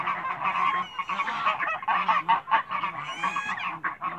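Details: Backyard flock of domestic geese, African and Toulouse breeds, honking as they meet other birds: dense chorus of harsh, brassy honks in quick bursts, some higher squeaky notes near the end, many geese overlapping.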